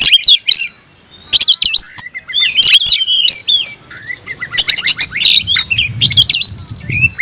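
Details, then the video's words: Caged oriental magpie-robin singing to rouse aggression and summon a rival: sharp chirps and whistled swoops, a short silence near the start, then a rapid, crowded burst of notes over a faint low hum. "kicau burung KACER‼️gacor buka ekor dongkrak emosi panggil lawan tarung"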